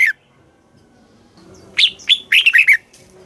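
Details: Red-whiskered bulbul song kept to rouse caged birds and teach young ones, southern master style; after a single opening note, a short burst of bright, quick, falling whistled notes near the end.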